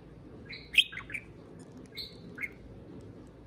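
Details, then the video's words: Pet parakeet serenading a can of beer with a few clear whistled notes, a sharp squeak near the start, then short chirps spaced by quiet gaps. "Pixel the Parakeet Talks + Kiwi serenades a can of beer"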